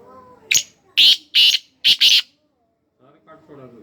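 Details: Black francolin giving its harsh call, a brief clipped note then four strident rasping notes in quick succession, the final pair nearly joined, followed by quiet human voices.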